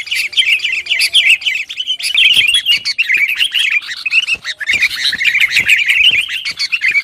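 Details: Sooty-headed bulbul singing busily to provoke rival birds: an unbroken stream of quick, chattering chirps and short warbles, steady in loudness, with occasional sharp clicks.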